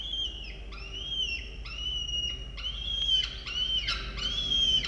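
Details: Wild peregrine falcon family at a camera-watched nest in Orange, Australia, on 18 October 2022 during a chick feeding: about seven loud, shrill, slightly rising harmonic screeches in quick succession, each under a second long, with faint background hum.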